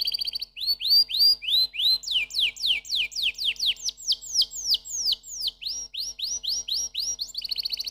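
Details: Canary song made of rising and falling slurred syllables repeated in quick tours, changing shape every second or so, with a fast buzzy trill at the start and end.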